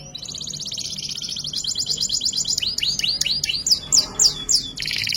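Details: Canary in 'isian' song, 'ngerek' style, as masteran training audio: a rapid rattling trill, then a series of rising swooped whistles spaced about a third of a second apart, ending in another fast buzzy trill.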